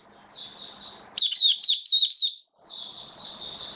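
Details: Oriental white-eye, a caged hobby bird recorded 19 September 2022 while in build-up form, sings thin high warbles, then a loud fast run of sliding chirps, then more soft high trills. Faint background hum.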